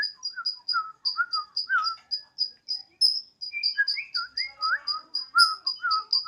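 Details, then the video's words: Home-kept Borneo white-rumped shama in spirited siren-like odong-odong song, a steady train of high piping notes about three per second layered over lower looping, swooping whistles. "Murai odong-odong (BORNEO) dengan penuh semangat si Burung berkicau layaknya suara sirine"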